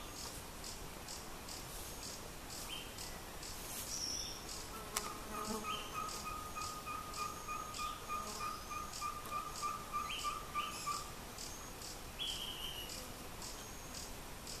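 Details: A Ferruginous Pygmy-Owl (Glaucidium brasilianum) in Colombia gives a long, even series of mellow whistled toots, about three per second, over loud pulsing insects and scattered chirps from other birds.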